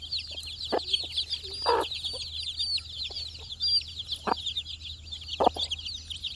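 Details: Four-day-old chickens, a group of chicks searching for insects; a dense, continuous chorus of high, short peeps, each quickly rising and falling, overlapping throughout, with scattered sharp clicks and taps at intervals.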